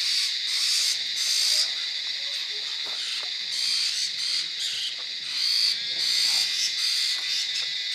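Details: A wild flock of white-throated laughingthrushes, adults and juveniles, foraging in Darjeeling, West Bengal, India, with adults feeding young: high, hissy, overlapping chatter in bursts about every second, no quiet gaps.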